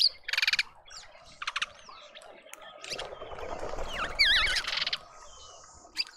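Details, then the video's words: In a Pretoria suburban garden, South Africa, mousebirds call in scattered bursts: short harsh buzzy rattles and thin whistles, then a wavering whistled trill over a low rumbling background noise. "Mousebird party"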